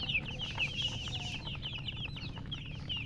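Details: Young chicks give rapid high-pitched peeps, several louder piercing chirps at the start, then a quicker run of overlapping calls, against a faint low hum.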